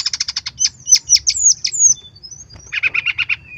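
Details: Rapid, vigorous song of a brown-chested jungle flycatcher used for bird tutoring: quick run of sharp notes, downslurred whistles, one long gliding note, then a fast stuttering series.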